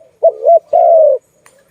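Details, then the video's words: Zebra dove, called Malay dove, from a dove-trapping setting, giving two loud low coos: a short wavering note followed by a longer, steady, even-pitched coo lasting about half a second, with a faint click between them. "Video lovely Malay dove, Sound of good dove"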